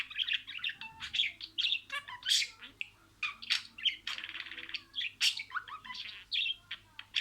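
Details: Budgerigar chattering imitated words, loud scratchy squawks mixed with quick warbles and sharp chirps, nearly continuous, faint hum beneath.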